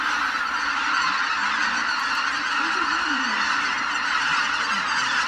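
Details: Greater white-fronted geese leaving their roost: a dense, continuous chorus of many overlapping nasal honking calls from a large flock, merging into a steady wall of sound with no pauses.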